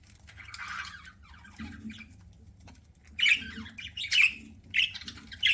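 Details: Budgerigar kept as a pet, chirping as it eats. Soft rasping chatter at first, then three or four sharp, harsh chirps packed close together near the end over a low background hum.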